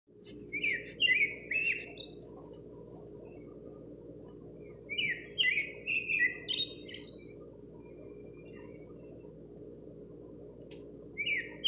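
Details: A nightingale singing outside a kitchen window gives short bursts of varied, rich warbling and chirping notes, separated by pauses of a few seconds, over a steady low rumbling hum.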